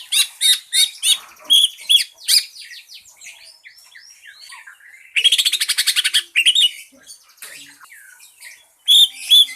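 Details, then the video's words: Green leafbird in pancingan lure song used to get other birds singing: loud sharp chip notes, a stretch of soft slurred whistles, then a fast rattling trill and a final burst of bright notes. "KICAU CUCAK IJO PANCINGAN PALING DIJAMIN IKUT BERKICAU"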